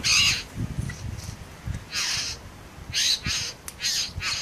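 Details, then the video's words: Male Satin bowerbird serenading a female with a dance and imitations of other birds in the Southern Highlands. He gives harsh, buzzy, crow-like rasps in short bursts, some paired in quick succession, over a low background rumble. "Satin Bowerbird"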